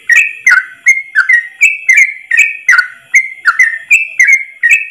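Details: Ropel song of a yellow-vented bulbul, recorded as tutor material: crisp whistled notes in quick succession, downward slides mixed with level tones, bubbling on continuously in a quiet background.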